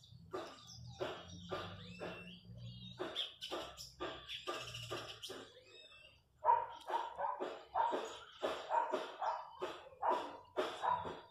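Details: Wild chachalacas (guacharacas) in the countryside near a house give harsh, raucous, bark-like calls in rapid rhythmic bursts, roughly two or three per second, with a low engine-like hum early on.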